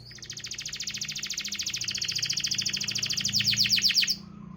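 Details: Canary song offered as a stimulus for canaries that will not sing: a long, rapid high trill that grows gradually louder, ends in a burst of sharper descending notes, then stops abruptly.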